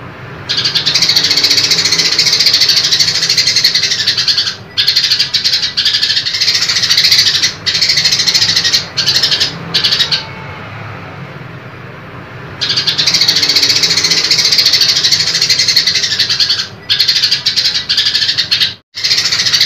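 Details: Female grey-cheeked bulbul (Alophoixus bres) gives long, loud, harsh and scratchy bursts of song, broken by brief pauses.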